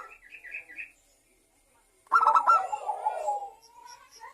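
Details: Zebra dove lure song for local and Bangkok zebra doves: a faint higher chirping at the start, silence, then a loud rapid staccato burst running into a falling series of soft coos.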